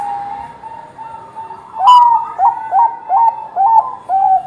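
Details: Bangkok-type zebra dove with a big voice: a steady soft coo, then a sharp click and six evenly spaced bright coo notes, each rising then dropping; played to get other Bangkok zebra doves singing.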